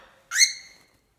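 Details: A female pet cockatiel getting mad at a glass cup gives a single short, loud, rich-toned call that jumps up sharply and then holds steady before fading within half a second, in a quiet room.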